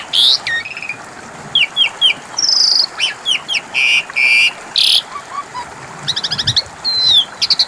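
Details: Asian pied starling song used as a lure to make silent birds answer: varied loud whistles, rising and falling slurred notes and buzzy bursts, with a rapid stuttering series near the end.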